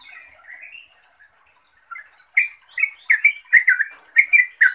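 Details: A sooty-headed bulbul calls to a rival or companion: faint, drawn-out warbling first, then a sudden run of loud, clipped chirps in irregular bursts.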